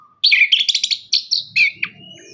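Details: Orange-headed thrush lure song, for coaxing birds that sing little: a rapid, dense two-second string of rich whistled and chattering notes, some sliding downward, with faint low rustling near the end.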